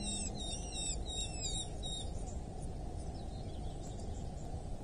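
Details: Eurasian hobby calling at a wild nest in rural Dorset, England, on 8 July 2024 at 07:55: a quick series of sharp, high, bending notes in the first two seconds, then fading, over a steady low rumble.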